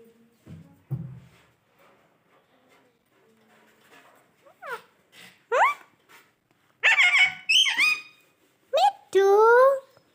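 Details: Pet talking parrot indoors: faint low human voices at first, then loud, high, speech-like phrases with quick rising and falling tones in short bursts.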